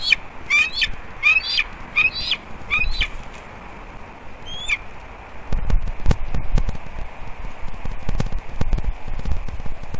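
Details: Wild bald eagle pair at their nest on Captiva/Sanibel Island, Florida, on a December morning, calling on alert at something right of the nest: quick bursts of sharp, high, ringing chittering notes for three seconds, one later note, then wind rumble.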